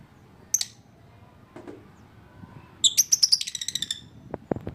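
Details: Lovebird giving one sharp high chirp, then after a pause a rapid run of about eight bright, repeated chirps, followed by a few soft clicks in a quiet room.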